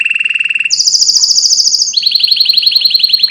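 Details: Canary trilling loudly. A low rapid roll leaps to a very high pulsed trill, then settles into a slightly lower fast trill of evenly repeated notes.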